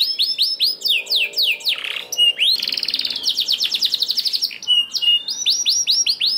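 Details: Canary song to stimulate lazy canaries to sing: rapid downslurred notes, a harsh burst, a buzzing rattle-like roll, then steady whistles and renewed quick trills.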